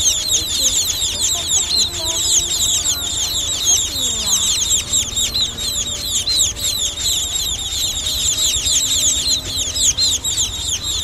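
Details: Young munias recorded for use as a trapping lure keep up a long, busy chorus of high, quick falling chips, layered from many birds, over a low murmuring background.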